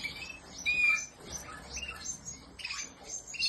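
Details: Canary, described alongside Spanish Timbrado, Malinois and Portuguese Harlequin breeds, singing high, thin whistled notes broken up by scratchy chirps in uneven bursts.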